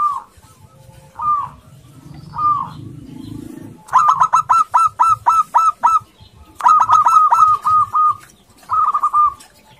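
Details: Local male zebra dove courting a female, an aggressive caller used as a lure to set other doves singing: a few separate dipping coos, then fast rapid bursts of short repeated bubbly notes, about ten per burst, in three runs.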